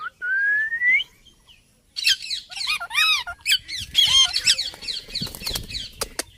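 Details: Indian ringneck parakeet, a talking parrot, making noise: a rising whistle, then loud harsh squawks and arched chattering notes in irregular bursts.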